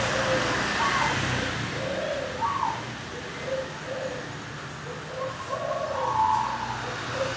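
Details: Wild-caught local zebra dove singing in the morning. Soft, low cooing notes come in short, uneven bursts with a brighter coo near the end, over steady background hiss.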